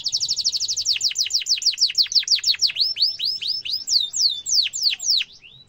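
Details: Canary song used to teach young canaries, with sharp rolling trills: a very fast high trill opening, slowing into separate steep down-slurs, then looping upswept whistles before fading away.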